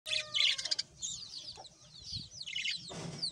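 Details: Several budgerigars (Melopsittacus undulatus) chatter in an overlapping fast, scratchy warble of high chirps, clicks and rising squeaks.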